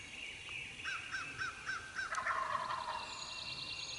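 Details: Eastern wild turkey gobblers calling early in the morning in Mississippi during hunting season; a quick run of evenly spaced hoarse notes, then a louder burst, with songbirds singing high and thin in the background.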